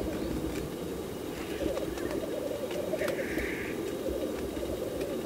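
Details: Black grouse lek display, many birds bubbling together in an unbroken rolling chorus, with a drawn-out hissing whoosh just past the midpoint and occasional clicks.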